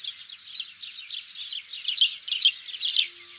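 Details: House sparrows chattering for a hunting lure: rapid, crowded high chirps, growing louder toward the end with three or four emphatic chirp bursts about half a second apart.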